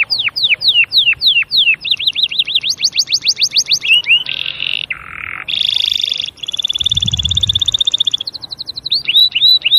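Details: Canary singing a loud, varied song: runs of quick downward-sweeping whistled notes, then fast buzzy rolling trills and steady rattling phrases, with a brief low rumble in the middle and sharp upward notes at the end.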